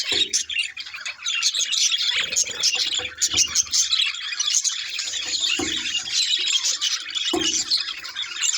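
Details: Budgies chattering in a dense, continuous wash of high, scratchy chirps and twitters with no clear pauses, plus a few low thuds in the background.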